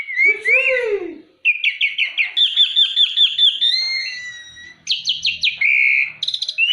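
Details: Jalak uret (starling) singing a varied medley: a low rising and falling whistle, then fast series of repeated chirps, long steady whistles, and bright clipped notes in quick bursts.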